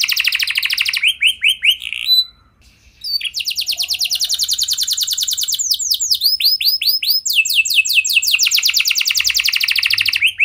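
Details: A caged canary's unusual lure song: short downslurred notes, a brief pause, then long rapid trills and sweeping looped notes shifting through several tempos.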